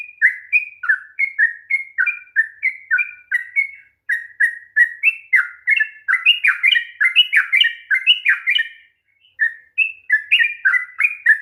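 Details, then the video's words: Rapid, continuous 'ropel' song from a sooty-headed bulbul, played to provoke a bird that won't sing: cheerful slurred whistles tumbling over one another, briefly interrupted near the end. "kicauan TRUCUK ROPEL PANJANG// perangsang bunyi trucukan malas bunyi"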